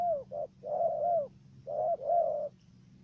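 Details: Decoy dove used for trapping wild doves in Cà Mau, Vietnam, giving a stuttering 'gù cà lăm' coo: a short low note, then drawn-out mellow coos in paired bursts separated by brief gaps, over a faint steady hum.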